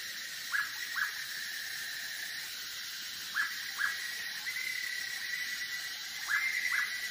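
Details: Hooded pitta calling near Bogor: clear double whistled notes, each pair about half a second apart, repeated three times over several seconds, over a steady high insect drone and hiss.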